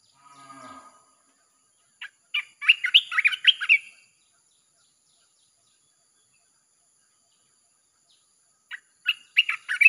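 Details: Red-whiskered bulbul song played to attract wild birds: a faint low murmur at the start, then a rapid two-second burst of sharp, warbled whistled notes, a long silence, and another lively burst.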